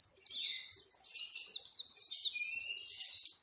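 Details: Oriental white-eye song meant to get caged birds singing: fast series of sweeping, downward-slurred high chirps, about four per second, with softer twitters underneath.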